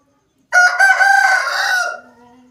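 An Aseel rooster gives a single hoarse crow, about a second and a half long and held at a steady pitch, then trails off into a low fading note.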